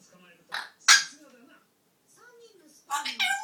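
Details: A pet grey parrot being noisy while perched on top of its cage indoors: harsh, buzzy squawks and a few low, wavering, speech-like whistles, ending in a loud rasping burst.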